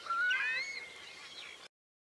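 A ruddy shelduck gives one drawn-out, nasal, rising honk, followed by a softer trailing note over light background hiss.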